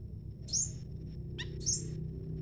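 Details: High, bright slurred whistles from a leafbird answering a scarlet minivet, two thin notes about a second apart, with a short lower stacked chip between them, over soft background hum.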